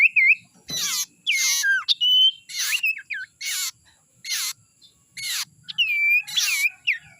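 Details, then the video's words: Young Common Iora from the wild, a call used to attract birds: loud scratchy bursts alternating with wavering, twisting whistled notes, about eight phrases at irregular intervals. "suara sirtu muda hutan ini suara ampuh pancingan"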